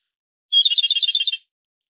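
A Japanese robin sings a brief high whistle, then a fast, ringing rattle of about a dozen notes lasting under a second. No other sounds.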